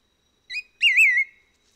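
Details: A White-whiskered Laughingthrush on Hehuan Mountain, Taiwan, recorded 22.02.17, gives a short clear note, then a longer wavering whistle that dips and rises in a mid-high pitch, against a quiet background.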